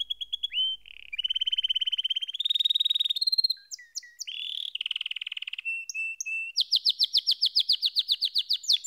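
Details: Canary singing a chain of rolled trills: slow low rolls, then smoother steady buzzing tours, and a final run of quick, bright repeated chips, all clean with no other sounds.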